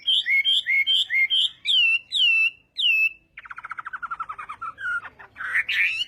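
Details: Chinese hwamei singing its morning contest practice: a series of ringing downslurred whistles, then a long rapid descending trill and rough buzzy phrases at the end.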